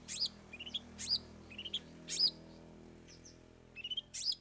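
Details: Long-tailed shrike song with three fill-in songs: sharp, high squeaky notes, each followed by short lower twitters, repeated roughly every second over a steady low hum.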